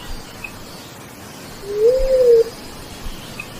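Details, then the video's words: Bleeding-heart dove forest call, played through a bluetooth speaker for hunting: a single soft, low hooting coo lasting under a second, slightly rising then level, over faint steady background hiss. "BLEEDING -HEART DOVE BIRD|FOREST SOUND CALL"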